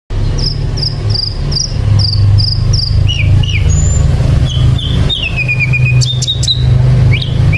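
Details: Sikatan londo flycatcher singing vigorously: a run of short, high whistled notes repeated about every third of a second, then lower slurred whistles and a descending trill, over a steady low hum.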